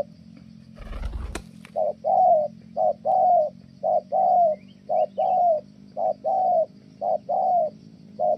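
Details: Spotted dove from Kon Tum cooing well in the 'thổ' style. After a thump, a long steady run of paired hoots follows: short note, longer falling note, about ten pairs in regular succession.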